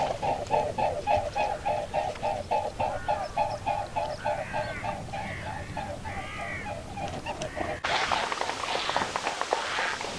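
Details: Mute swans in flight over ponds in Europe, recorded in autumn and spring, 2011 and 2017: steady rhythmic throbbing wingbeats, about three to four pulses a second, then an abrupt cut to a noisier scene.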